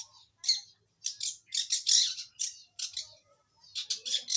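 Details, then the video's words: Harsh, raspy bursts from a young long-tailed shrike taken from the wild that is only beginning to sing, loud squawky notes repeated in short clusters with gaps between. "Cendet Muda Hutan Mulai Bunyi"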